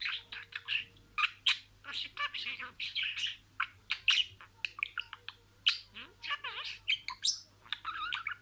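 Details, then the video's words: Talking pet budgerigar mimicking a string of words: dense, fast chatter of clicks, buzzy notes and squeaky whistles, with occasional sharp high chirps and a steady faint hum underneath. "SIRALI KELİMELER, MUHABBETKUŞU SESİ,MUHABBETKUŞU KONUŞMA SESİ DİNLE"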